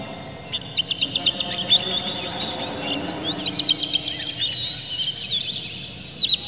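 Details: Oriental magpie-robin singing agitatedly, tail spread, a song full of varied phrases to provoke rivals: fast rattling series of high, sharp notes, a brief lull, then more chattering runs and a closing whistle.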